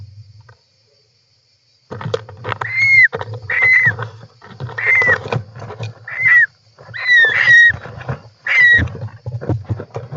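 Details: European roller, nest interior camera, 18 July 2024. After a brief quiet start, a series of rough, buzzy calls with a slurred falling whistle begins, roughly one every second, over soft shuffling noises.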